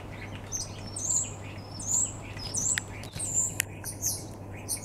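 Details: Common starling singing in a back garden on 2 February 2015: a run of high whistled, slurred notes and buzzy fragments with scattered clicks, delivered in uneven bursts over a low steady hum.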